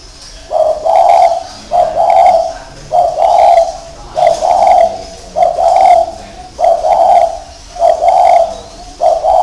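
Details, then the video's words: Low, mellow cooing from a spotted dove. Paired coo phrases repeat steadily, roughly fifty a minute, each a brief note followed by a longer, throaty one, with quiet gaps between. "chim cu thổ gì đây các bác???"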